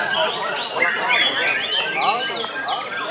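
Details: Contest-singing white-rumped shama (murai batu) delivering fast, varied whistled notes and sweeping slurs in a crowded, noisy setting with overlapping birds.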